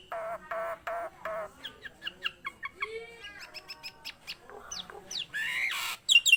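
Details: Nias hill myna singing actively. Several nasal, buzzy squawks open the phrase, followed by a string of short clicking and chattering notes and a rising whistle, ending in loud rasping bursts.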